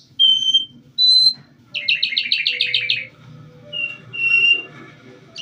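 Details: Calandra lark singing clear whistled notes at a steady high pitch, then a rapid buzzy rattle of about eight pulses, then more short whistles, over a faint low hum.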